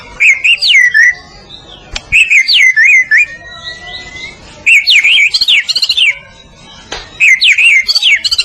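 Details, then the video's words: ['Medan white-rumped shama in full song for training other birds: clear looping whistled phrases that wobble up and down, a thin rising whistle between them, and short pauses between bursts.'] "Kicau Murai Batu Gacor Masteran Sang Juara ‼️Murai medan"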